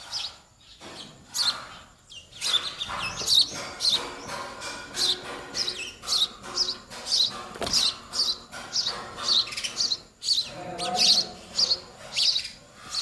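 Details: Young sparrows in the nest calling to their parents for food: a rapid, steady run of shrill, high chirps, nearly two per second. Softer chirps overlap the louder calls.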